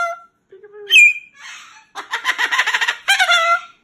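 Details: Captive Moluccan cockatoo at bedtime, complaining about going into its cage; a short whistled note, a low drawn tone, a rising harsh squawk, then rapid rattling chatter and a final loud squawk.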